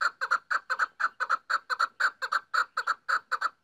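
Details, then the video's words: Female chukar partridge (chakor) calling: a steady run of hoarse, clucking chuck notes in quick pairs and triplets, about five notes a second, with nothing else heard. "chakor female ki awaaz"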